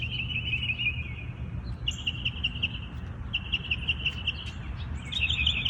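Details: Morning birdsong in a natural habitat: a series of fast, buzzy trills on a steady pitch repeats every second or so, with scattered sharp high chips from other birds over constant low rumble.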